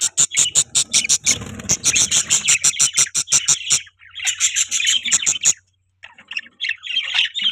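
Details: Budgies chattering in rapid high chirps, about three per second, a busy run that pauses and resumes with warbled twittering, then trails off into scattered soft notes.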